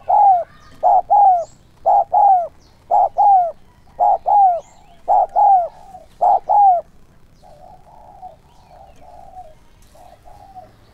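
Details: Spotted dove used as a decoy bird to lure wild doves, giving a 'son' voice with urging and calling coos: paired short coos near 700–900, repeated roughly once a second, then softer fainter coos toward the end.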